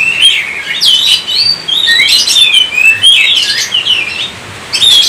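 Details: Oriental magpie-robin in full song, a string of clear sweeping whistles and rasping chattery notes, loud and close, delivered in rapid varied phrases with short breaks.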